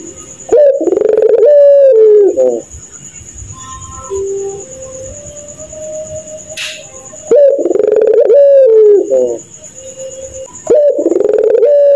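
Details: Night-calling puter pelung dove with a laugh said to resemble a kuntilanak. Three loud stuttering coo phrases about four seconds apart, with softer low hoots and a sharp click between them.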